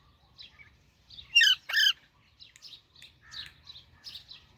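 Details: Baby Alexandrine parakeet giving two loud harsh squawks in the middle, surrounded by softer scattered chirps and short notes, with faint low background noise.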